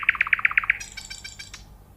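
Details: Short nightingale phrase of six quick, rich repeated notes followed by a fading high buzzy trill.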